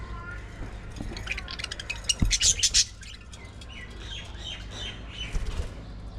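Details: Aviary-kept budgerigar colony giving a quick cluster of loud sharp chirps, followed by softer rising and falling warbled calls from several birds, with a dull thud and a low background hum.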